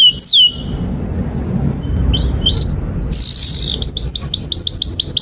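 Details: Canary singing for tutoring young birds learning to sing: a sharp descending whistle, scattered high chirps, a loud buzzy burst, then a quick series of repeated hooked high notes, over low background rumble.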